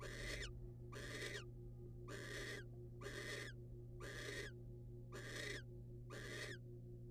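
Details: Repeated grating screeches from wild barn owls as the male hands a rodent to the female, seven bursts roughly one per second, each rasping and noisy, over persistent low electrical hum.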